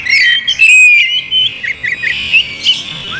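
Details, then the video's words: Oriental magpie-robin song used as a lure to make a quiet bird sing and fight: clear whistled notes and quick slurred chirps, with some brief rising and falling phrases. "Pancing Kacer malas bunyi jadi cepat gacor"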